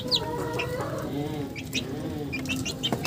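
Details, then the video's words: Several chickens calling, with a sustained droning cluck note and quick high squeaky chirps scattered through, against a steady low hum. "Funny Chicken Sounds"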